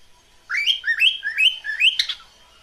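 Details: Cockatiel giving a mating call: four rising, slurred whistles, each climbing sharply and repeated roughly every half second, ending in a brighter squawky note.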